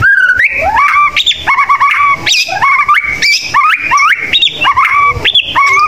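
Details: White-rumped shama contest bird singing a loud, rich run of whistled phrases: clear notes that leap up and down in pitch, with quick rising slurs and shifting tones following one another almost without pause.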